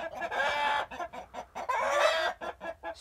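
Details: Roosters raising an alarm at an owl, heard while fencing was being installed: loud, harsh, drawn-out squawking cries broken by short clucks, repeated irregularly, with a man speaking nearby.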